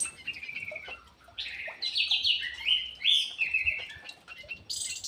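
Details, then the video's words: Aviary ground thrush from Indonesia in full, energetic song, a continuous run of loud, high, rich warbling notes that slur up and down with quick chirps between them. "PUNGLOR JALI GACOR"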